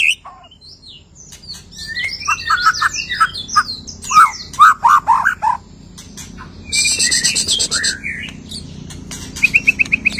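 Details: White-rumped shama after moult singing a long varied medley of sweet whistles, rattles and harsh buzzy notes, with a rapid repeated trill near the end.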